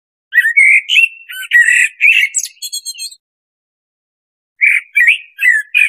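A blackbird sings mellow, fluty warbled phrases that break into a high, squeaky twitter, then fall silent before another short run of warbling notes.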